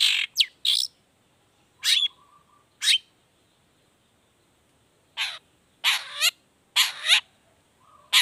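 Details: Long-tailed shrike, 'toet toet' variation lure song played to get other shrikes singing; loud rasping bursts, several long and grating, separated by a pause of a couple of seconds.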